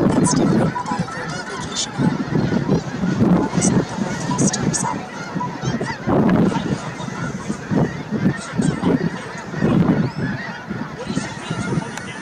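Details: Snow geese at Merced National Wildlife Refuge, California, on a January watching trip; a large flock honks in pulsing overlapping bursts, with occasional higher yelps, wind noise and faint human voices.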